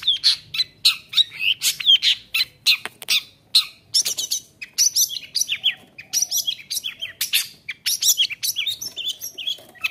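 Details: Long-tailed shrike in loud song meant to stir other shrikes to sing: rapid varied chatter of sharp chips, downslurred whistles and harsh scratchy notes, packed densely with short gaps.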